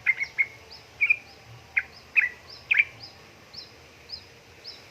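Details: Female sooty-headed bulbul in breeding condition calling to a male: short bright chirping notes in quick bursts roughly once a second, some doubled or tripled, with faint thin high notes repeating steadily in the background.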